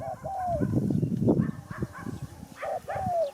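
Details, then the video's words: Spotted dove giving a soft, long falling coo at the start and again near the end, with clucking and scratchy farmyard-like noises in between. "Sound Spotted Dove"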